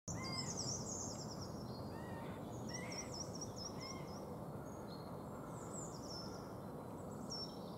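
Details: Middle spotted woodpecker at Helmond, Netherlands, on 11 February 2016, giving short, harsh mid-pitched calls, mixed with high, thin chattering from other small birds over a steady rushing background.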